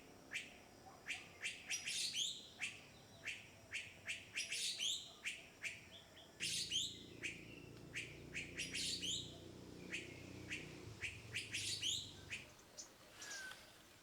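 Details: Philippine fairy-bluebird, an endemic of Luzon and the Visayas, Philippines, giving sharp, high, liquid whistled notes in quick irregular bursts, several per second at times, over a soft background hum.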